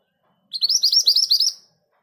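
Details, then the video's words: Scarlet minivet, known locally as mantenan gunung, a caged bird that sings readily: a rapid rolling run of about eight high, slurred, upward-curving notes over roughly one second, clean and without background sound. "Suara ngerol dengan speed yang pas. MANTENAN GACOR"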